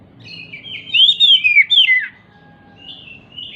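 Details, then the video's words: Oriental magpie-robin described as agitated and jumping, its song meant to stir silent magpie-robins into singing: a quick run of four loud, rich whistled slurs, then a faint thin whistle and a soft warble. "Pancingan Kacer MACET BUNYI, dengan Kacer EMOSI LONCAT INI, dijamin NYAUT GACOR KACERNYA"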